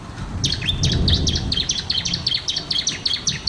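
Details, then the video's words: Bar-winged prinia, a lively singing bird recorded as a lure to prompt silent birds: a fast series of sharp, high chirps repeated about five times a second, with low rumbling background noise. "masteran burung ciblek"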